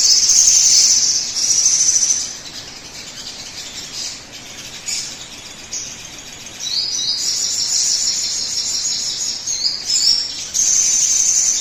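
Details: Sogon bird song played to encourage other birds to start singing: loud high rapid twittering at the start, a quieter stretch, then renewed bursts of sharp high chirps.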